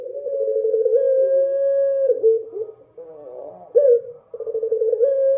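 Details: Dove singing after dark: steady, droning hooted notes, each held about a second or more, broken by a short gurgling phrase and a louder rising coo.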